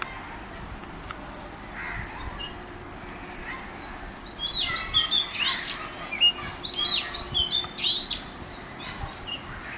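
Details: Oriental magpie-robin singing at Mormugao Harbour, Vasco da Gama: a run of varied high whistles and quick slurred notes beginning after four seconds, over constant low background noise.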